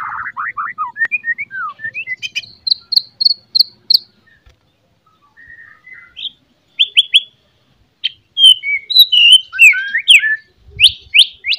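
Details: Morning shama lure song to raise fighting spirit: quick falling whistled notes, a row of bright repeated chirps, soft warbles, then lively varied high phrases.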